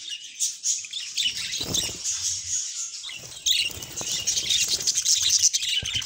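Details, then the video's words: Two house budgerigars singing and talking, with scratchy, high chattering warble and squeaks throughout, accompanied by rustling and flutter-like noises and occasional low taps. "Budgie Best Friends - Mango and Chutney - Singing and Talking Sounds"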